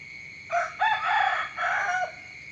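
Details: Morning crow of a rooster: a loud, hoarse cock-a-doodle-doo in several broken segments, with a drawn-out middle and a short closing note. A constant thin high whine runs underneath throughout.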